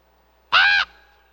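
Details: Raven giving a single harsh, harmonic call of about a third of a second, steady and slightly nasal, in a quiet background.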